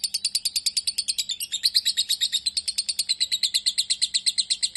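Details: Rapid, steady chatter from a lovebird labelled a fighter: bright, high, clipped notes repeated roughly three times a second without a break.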